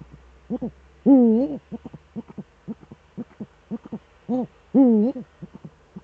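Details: Duetting Eurasian eagle-owls with the male at the nest, Eifel, evening of 13 December 2013, 17:25. Two prominent low, undulating hoots nearly four seconds apart, with frequent short, deep pulsed notes throughout.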